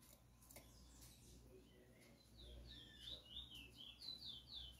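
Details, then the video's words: Caged chestnut-bellied seed finch, a selected singer of marble colouring, heard close up: after a quiet start, a rapid run of high, slurred whistled notes rising and falling, delivered about four per second over faint background hiss. ""Bullfinch"_Chestnut Bellied Seed Finch Close Up View."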